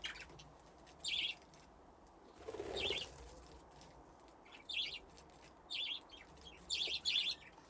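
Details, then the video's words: Budgerigars playing in an aviary fitted with nesting boxes; brief warbled chirp bursts every second or so, with a soft wing-flapping rustle in the middle. "Budgies playing in the aviary"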